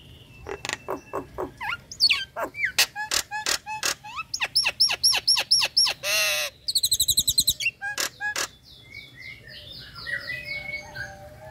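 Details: A captive female Nias hill myna, ready to breed, calls to the male. Loud clicks and whistles bend up and down, then give way to a harsh noisy burst and a rapid trilled run. The series ends in softer, quieter warbling notes.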